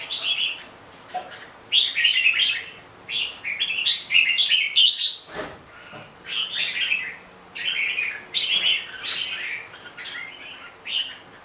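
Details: Red-whiskered bulbul singing steadily, a string of short chirpy whistled phrases repeated roughly every second or two, one brief sharp knock partway through, soft hum underneath.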